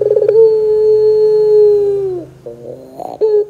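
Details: Lure recording of a Barbary dove singing pelung style to coax other doves into calling; a few quick pulses lead into one long level drawn-out coo that sags at the end, followed by soft rolling notes.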